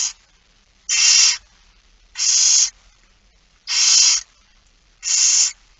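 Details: Begging barn owls during a morning feeding, 06:57 on 13 September 2019: loud breathy hissing screeches, each about half a second, spaced irregularly over a quiet background.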